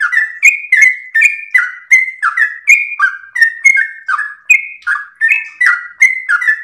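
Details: Gacor trucukan, the sooty-headed bulbul, in long ropel song for training other birds: fast series of mellow, bubbling whistles stepping between lower and higher pitches, continuous and evenly loud, nothing else heard.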